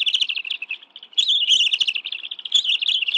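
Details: A wild bald eagle nest in the National Arboretum, Washington, D.C., at 2:23 PM on 11 June 2017, during a family fish meal; loud, piercing chitters pour out in fast, overlapping runs with barely a pause.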